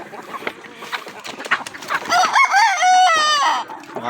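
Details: After a stretch of clatter and rustling, a rooster lets out one long, loud crow rising then falling, with people's voices and laughter nearby.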